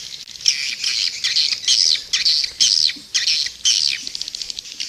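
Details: Edible-nest swiftlet lure call played outside a bird house, Indonesian type: harsh, buzzy chattering bursts, high-pitched and repeated about twice a second, in a steady looping stream.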